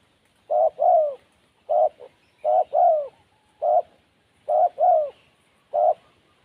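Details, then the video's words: Spotted dove in the wild, described as timid, giving paired coos less evenly, some single short notes between the two-part phrases, with gaps of about a second. "Burung Tekukur Liar Kurang Mental"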